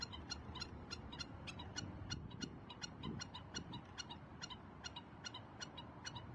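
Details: Two black-necked stilts at Andree Clark Bird Refuge give sharp, yapping kek notes, about three per second, over a low rumble; their persistent calling distracts from a nest site they are protecting.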